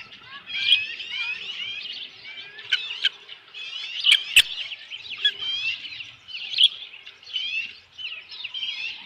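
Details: Ospreys calling at a nest after a big headless fish is brought, 15 July 2018 around 7:55 PM: continuous, high, thin, chattering chirps in uneven bursts, with a single sharp knock midway.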